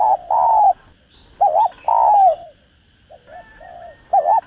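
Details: Spotted dove's 'thúc gù' coo for luring birds: mellow phrases of a short wavering note and a long coo sliding downward, separated by quieter soft warbles and pauses.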